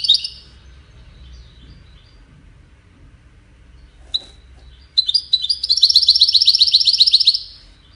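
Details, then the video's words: Goldfinch in song, used in courtship and communication: an opening twittery phrase, a lone chirp, then a sustained rapid trill of buzzy, high repeated notes running for over two seconds. The surroundings are quiet. "Witness the Majestic Goldfinch Singing"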